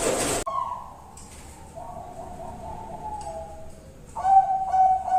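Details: Lure song of a Bangkok-type zebra dove: after a short loud noise burst, soft drawn-out low coos give way to a louder rapid run of pulsed cooing notes at the end.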